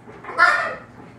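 A hyacinth macaw gives one hoarse, voice-like utterance lasting about half a second, mid-pitched with a harsh, raspy edge. Nothing else is heard.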